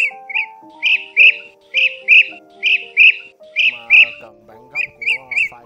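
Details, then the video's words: Repeated rolled, buzzy notes of a blue-throated bee-eater in pairs and short runs of three, about one group a second, set against background music that grows richer toward the end. "Tiếng Chim Trảu Họng Xanh"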